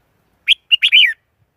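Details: A Red-whiskered bulbul delivers one lively phrase of four notes, an opening chirp, a short clipped note and a flowing, looping whistle that slides downward, clear against silence.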